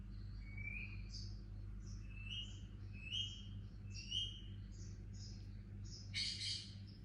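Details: Quiet chirps from a young pet Indian ringneck parakeet: short, thin upslurred notes repeated about once a second, ending in a harsher noisy burst, over a low mechanical hum.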